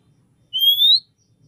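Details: Female oriental magpie-robin calling to the male, a call used to raise the male's breeding urge; one loud, pure whistle rising steadily in pitch for about half a second over faint background murmur.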